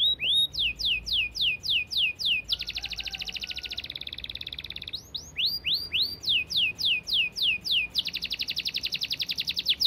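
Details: Canary, long clear song in the dense speed style: bursts of curved high whistled notes alternate with stretches of rapid buzzing rattle, the pattern repeating twice.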